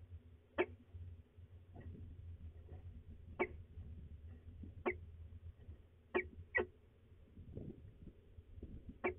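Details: Peregrine falcons at de Mortel, 19 April 2020, afternoon; scattered abrupt harsh notes, about seven across nine seconds, some in quick pairs, with a constant low rumble and faint rustling beneath.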